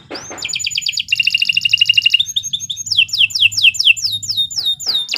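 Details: Canary in shrill master song for training other birds: an upslurred whistle, a dense fast trill, then a string of looping downward slurs over a faint low hum.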